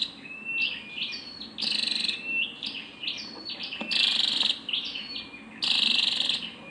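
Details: A female scarlet-backed flowerpecker calls in high, thin twittering notes broken by three loud buzzy rasps spaced about two seconds apart.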